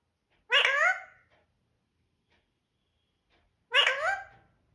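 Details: Parrot speaking the word "mithoo" twice, about three seconds apart; each utterance is bright, harmonic and voice-like, with a gently falling tail.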